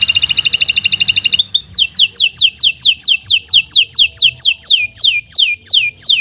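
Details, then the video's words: Canary song used to train other birds, starting with a fast trill and then moving into a slow, regular series of descending slurred whistles, roughly one or two each second. "Kicau Burung Kenari 135 II LUAR BIASA GACOR PANJANG Cocok untuk Masteran"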